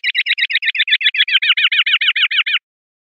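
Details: Common linnet singing in the clean 'pardillo limpio' song style from a 2021/2022 song CD: a rapid, even series of about twenty bright chirped notes, roughly eight per second, ending abruptly, with a silent background.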